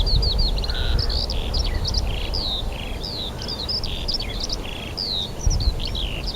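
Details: Birds in song beside Rogozyanske reservoir, Kharkiv region, 4 April 2010, in spring: steady high twittering with slurred whistles and short chirps, set over a strong low-pitched rumble of background noise.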